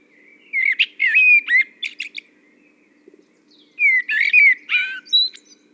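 Common Blackbird singing two short, mellow warbled phrases, each closing with higher squeaky twitters, separated by a relaxed pause of over a second. A faint low hum runs underneath.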